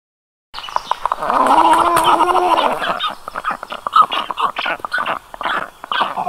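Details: Black stork at a nest monitored by a round-the-clock camera on a hot day, as the female brings wet grass and water to panting chicks; a loud, gargling, harmonic call falling slightly in pitch, then a rapid series of rough, uneven pulses.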